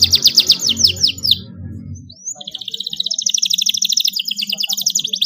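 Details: Young canary imitating a luxurious model song: loud descending whistled sweeps in quick series, a short quiet gap with a rising slur, then a long fast high-pitched roll.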